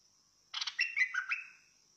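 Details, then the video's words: One brief phrase from a bulbul in fierce singing style, a buzzy attack followed by clear dropping whistled notes, set against a steady shrill hum. "นกดอกแตง สายดุ!! Burung merbah lekir bay hoach thom Gacor Bahanan"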